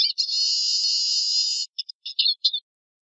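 Eurasian siskin song: a long, high, drawn-out wheezy buzz lasting over a second, then a few quick twittering notes.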